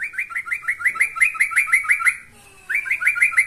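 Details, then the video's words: Yellow-vented bulbul in full voice challenging a rival: a fast, evenly spaced series of liquid, bubbly notes for about two seconds, a short gap, then the chatter resumes. "Kicau Burung TRUCUKAN GACOR Manggil Lawan"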